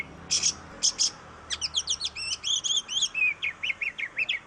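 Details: Oriental magpie-robin song, played to prompt other birds to sing: two harsh rasping bursts open, followed by a rapid run of sharp chirps and slurred whistles descending in pitch.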